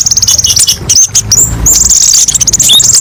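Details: Olive-backed sunbird (kolibri ninja) master song: a rapid run of high ticking notes, a brief pause, then a fast buzzy trill with a few thin whistled slurs.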